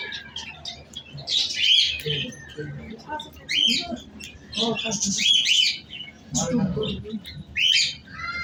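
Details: A pet cockatiel gives bursts of bright, warbling chirps and squawky whistles in clusters every second or two, with low murmuring voices or handling sounds beneath.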